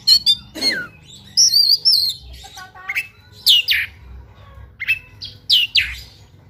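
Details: Oriental magpie-robin, known as kacer, in fighting song packed with fills: high twisting whistles, stacked lower whistled notes, and loud sharp downslurred calls repeated in bursts.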